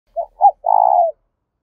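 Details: Spotted dove call used to lure wild doves in: two short low coos followed by a longer, slightly trembling coo, then silence.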